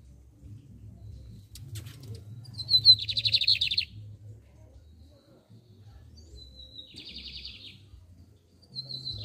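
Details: Bigodinho, the lined seedeater, delivers two song phrases, a clear high whistle running into a fast buzzy trill, with a third starting at the end. The torneado style is the comparison. Steady low rumbling behind.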